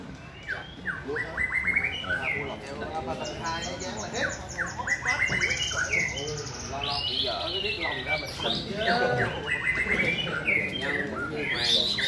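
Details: White-rumped shama singing a rhythmic, varied song of clear whistled phrases, quick rising and falling notes and rapid trills in bursts, with people's voices talking underneath throughout.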